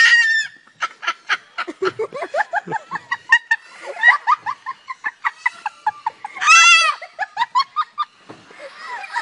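A cockatoo gives a long run of hoarse, cackling laugh-like bursts, several per second, rising and falling in pitch, with a screechy squawk near the end.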